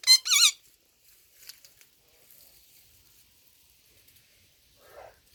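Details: Indian ringneck parakeets fighting: a single loud, harsh, wavering screech rich in overtones opens, followed by near silence with faint rustling and a soft buzzy note near the end.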